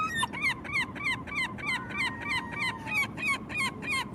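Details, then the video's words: Rapid, evenly spaced, laughing yelps from a herring gull, about three notes a second for over four seconds, each note nasal and arched, over faint low background noise. "Herring Gull"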